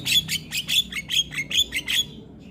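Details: Lively Javan myna song for bird training, a fast series of about eight loud harsh squawky notes with a whistled edge, roughly four per second, then a quiet tail.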